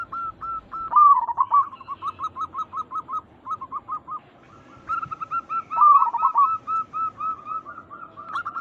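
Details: Zebra dove cooing as a lure to draw replies from other zebra doves: strings of quick clipped coos, two loud rolling descending bursts near one and six seconds, and a slightly higher-pitched bird joining midway.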